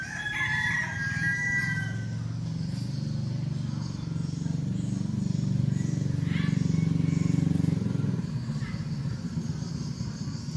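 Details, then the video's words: A seven-month-old decoy red junglefowl rooster in Vietnam crows briefly at the start, a high, slightly wavering phrase, before a heavy, rising engine roar fills the rest. "Cánh tốt, siêng gáy gà 7 tháng tuổi, gà mồi"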